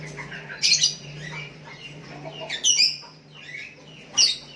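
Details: Sooty-headed bulbul calling to a rival decoy bird, with other bulbuls answering. Three loud, harsh, bright bursts about every one and a half to two seconds, softer chirps between them, over a low steady hum.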